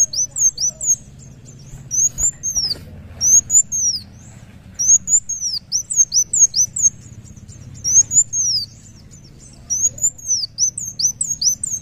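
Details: Kolibri wulung sunbird in full song: bursts of very high, thin arched whistles, each phrase a quick series of slurred notes separated by short pauses, steady low background hum.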